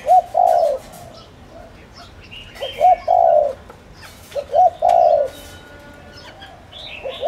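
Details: Low, mellow cooing from a decoy spotted dove meant to draw in wild doves, three full phrases of a quick double note plus a long rolling coo, repeated roughly every two seconds over soft chirping of other birds.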